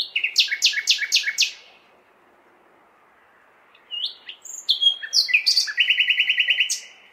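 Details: On a May night in a large city, a nightingale sings a phrase of loud repeated stuttering notes, pauses about two seconds, then whistles and a fast buzzy trill, over low city background noise.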